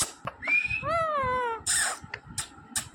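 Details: Talking green parrot: a level whistle-like note, then a long, slowly falling, nasal tone, then harsh breathy bursts and clicks.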